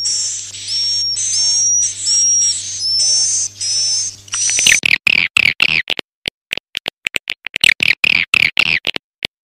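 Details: Swiftlet calling sound played to attract swiftlets. It opens with thin, high rising whistles over a hiss and a low hum, then breaks into a quick series of sharp twittering chirps and clicks.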